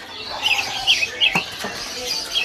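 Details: Black-headed bulbul at a bird kiosk in Pramuka bird market, Matraman, East Jakarta, sings short, bright chirping notes, four or five quick bursts in a couple of seconds, over sharp clicks and faint market bustle.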